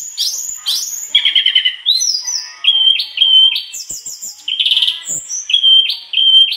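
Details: Mangrove blue flycatcher singing tirelessly, delivering a varied learned repertoire. Quick up-sweeping notes and rattling trills lead into clear whistles, high chattering bursts and repeated short rising phrases.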